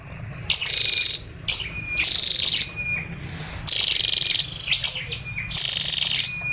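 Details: High, sharp twittering calls from a female scarlet-backed flowerpecker in about four bursts a second or so apart, each mixing clipped chirps with a brief level whistle, over a low steady hum.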